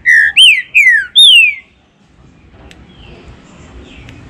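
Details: Green-winged saltator singing the 'baruc' style used to excite captive birds. Four loud, pure whistles, the middle ones rising then sweeping down, come quickly, followed by near silence with faint distant notes.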